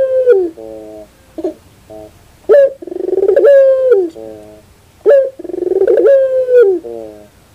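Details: Puter dove cooing indoors with faint background hum. Short low notes and sharp accents lead into pulsing rolls and long sustained coos, repeated about every two to three seconds.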